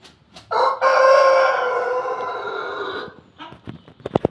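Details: Rooster of a Pelung and Bangkok crossbreed gives a long, drawn-out crow of about two and a half seconds, strong at first and then fading. Clicking knocks follow at the end.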